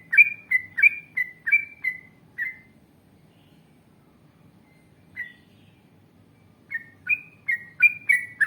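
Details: Yellow-vented bulbul in long ngalas-style song, intended to draw replies from other bulbuls. A quick burst of bubbly whistled notes is followed by nearly four quiet seconds with one lone note, then another rapid run.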